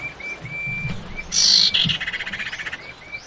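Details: Female common iora calling for a male as a lure. Thin level whistles repeat in the background, broken by one loud scratchy buzz that trails into a fast pulsed rattle.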